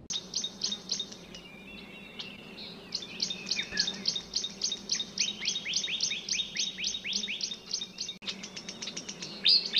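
Black-crested Bulbul: quick, high, sharp chirps repeated about three or four times a second, with a few lower whistled notes mixed in.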